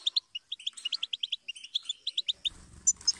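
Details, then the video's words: Goldfinch singing a rapid run of short, bright chirps, roughly four or five per second, high and tinkling, ending in a burst of broadband rustling noise. "Song of Motivation : inspiring Goldfinch Chirps And Sing"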